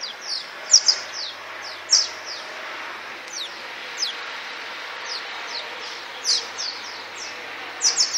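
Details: Flying swallows in the Tudor district of Csíkszereda give high, thin twittering calls in short bursts and quick downslurred chirps, scattered irregularly over a steady background hiss.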